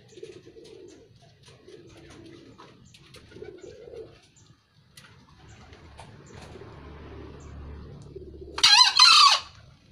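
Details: A wild green junglefowl from Kebumen, Central Java, gives one short, harsh, hoarse crow near the end. It is a brief squeaky burst after quiet, with faint low humming sounds before it.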